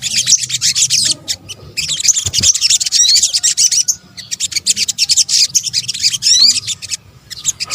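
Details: Sunbird (locally sogok ontong), a combined recording of calls used as a lure: dense, very high, thin chirps and rapid twittering with quick upward sweeps, nearly continuous, broken by short pauses.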